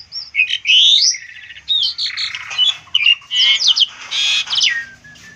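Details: Asian pied starling song meant as a tutor recording for other birds: loud rising whistles and rasping buzzes mixed with quick chattering notes, delivered in a continuous, jumbled, high-pitched sequence.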